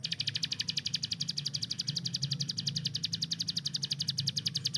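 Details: Hill prinia, a kept master bird, giving its rapid machine-gun 'tembakan' song: a fast, steady stream of sharp, high, clicking notes, about seven a second, held throughout over a low background hum.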